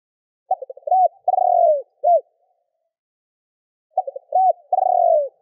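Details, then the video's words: Spotted dove calling to provoke other doves. It gives two phrases of mellow low coos: a stuttering run of short notes, one long drawn-out coo sliding downward, then a single clipped note. A quiet pause separates the phrases, with no background noise. "Chim Cu gáy gọi kích bổi / Tiếng cu gáy kích bổi Hiệu quả"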